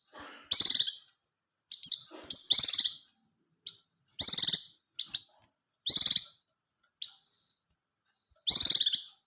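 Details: Oriental white-eye song played to raise a bird's mating readiness and prompt it to sing: short, very high, buzzy trilled bursts, each under a second, separated by silent gaps and a few thin single chips.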